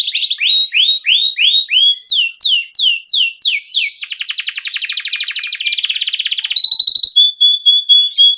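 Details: Canary tutor song for young birds, 'ngerol cuit cuit' style: a series of loud downward-sweeping whistles about three per second, then a fast buzzy roll, ending in clipped repeated high chirps.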